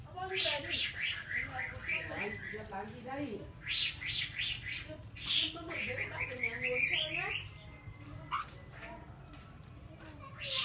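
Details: Laughingthrush kept as a cage bird in Vietnam delivering a rich, changeable song of warbled, bending whistles and harsh squawky notes in bursts, followed by a quieter stretch.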